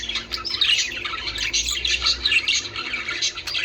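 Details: Budgerigars, kept to stimulate breeding, chattering continuously with dense warbles, chirps and squeaky twitters at high pitch, several birds overlapping without pause in a small room.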